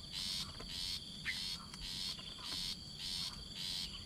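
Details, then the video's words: Rufous-backed Shrike mother feeding her very young chick; the chick gives rhythmic raspy, hissing bursts, roughly two per second, with a steady high-pitched insect whine and a faint chirp behind. "Mother bird of Rufous backed shrike feeding very young chick"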